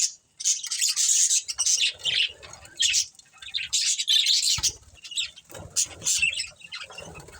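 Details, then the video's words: Breeding pair of budgerigars, pet birds, giving dense bursts of harsh, buzzy chirps and chatter, with short pauses between rapid squeaky phrases and some low rustling. "Cute Budgies Chirping Sounds | Love Birds Breeding Pair"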